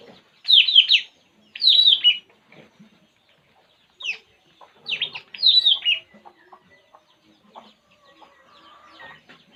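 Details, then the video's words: Puling bird at ease gives two loud bursts of squeaky, descending chirps. After a pause come two more bursts, then quiet with faint ticking. "burung puling. Inilah yg dilakukannya saat santay"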